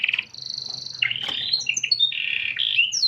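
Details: Canary song in a unique cengkok style, a lively bird switching quickly between a buzzy trill, a high sustained whistle, and varied twittering slurs and chips across about three seconds.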